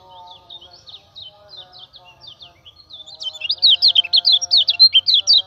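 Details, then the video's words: Common iora singing as a training lure for other birds: quiet scattered chirps at first, then a loud, fast, buzzy series of sharp up-and-down notes in the last two seconds, over steady low whistled tones. "PANCINGAN KECIAL KUNING GACOR"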